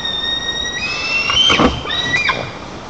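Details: White-tailed eagle chicks in a nest in Nizhnyaya Kama National Park, Tatarstan, on 5 August 2024, greet their father bringing fish: long, high, thin squealing whistles, then scuffling thumps as they jostle and the fish falls.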